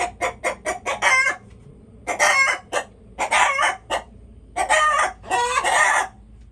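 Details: Chickens making noise: quick clucks leading into raspy, drawn-out squawks, repeated in four bursts separated by brief silences.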